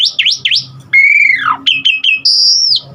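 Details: Asian pied starling performing its varied filler song, meant to get other starlings singing: quick V-shaped whistles, a long clear falling slur, clipped chips, then a high sustained whistle.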